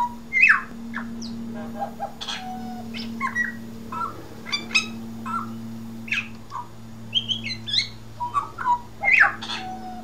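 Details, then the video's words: Pied butcherbird from Australia singing: a string of short clear whistled notes and slurred rising and falling phrases, loud and scattered with brief pauses, over a steady low electrical hum. "Pied Butcher Bird Comedy Routine"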